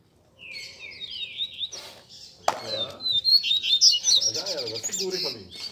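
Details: Caged Double-collared Seedeaters, competition birds of several keepers, singing together on a Sunday as a warm-up. Slurred downward whistles lead into dense, high, chattering song, with a sharp knock midway and people talking underneath.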